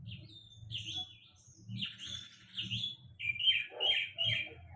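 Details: Sulingan laut bird singing: varied warbled and whistled phrases with squeaky twittering and scratchy notes, plus a low murmur of background noise throughout.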